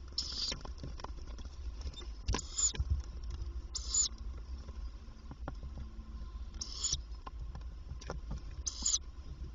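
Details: Female tawny owl visiting the nest box several times during the day to feed her young; harsh breathy hissing bursts repeated about every two seconds, five in all, over faint scratching and shuffling in the box.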